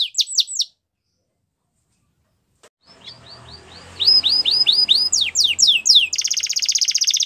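A Belgian canary sings fast series of high, sweeping chirps, pauses, then returns with rising notes that end in a rapid buzzy trill.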